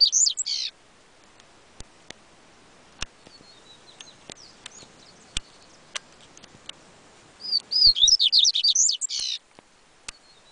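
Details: Singing yellow-bellied seedeater, or coleiro baiano, with a clipped phrase at the start and a full rapid whistled song near the end, separated by quiet with scattered sharp clicks.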